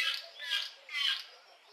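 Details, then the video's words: Lesser striped swallow singing early in the morning in a garden: three loud nasal, squeaky notes rich in harmonics, two close together and one after a short pause, with a faint background hum. "Lesser Striped Swallow song"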